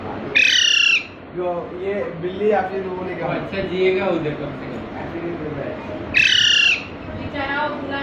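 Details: Squeaks from a parrot chick brought home in Panvel in March 2019: a strident, harmonic squeak opens, people murmur for several seconds, then a second matching squeak.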